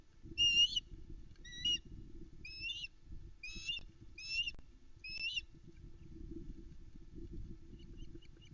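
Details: Female osprey on a Loch Arkaig nest at dawn, 13 July 2019, calling loudly while awaiting breakfast from her mate, nest camera recording: six sharp, high whistled chirp bursts about one second apart, then near silence over steady low hum.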